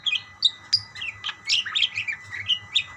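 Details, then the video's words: Budgies calling to each other with short whistled chirps and warbling squeaks delivered in an irregular rapid patter, several birds overlapping, faint hum in the background. "burung parkit bersautan"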